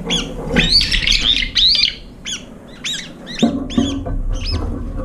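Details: Brown-eared bulbuls gathering competitively at a nearly empty feeding dish, eating and fighting, giving loud, harsh, shrill squealing calls in quick bursts, some rising and falling, over a low background rumble.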